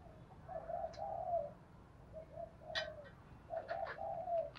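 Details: Đồng Thổ-style spotted dove cooing used to lure wild doves, combining calling, thúc and gù coos; three groups of soft, low, drawn-out coos separated by short pauses, with sharp clicks and taps and steady background rumble.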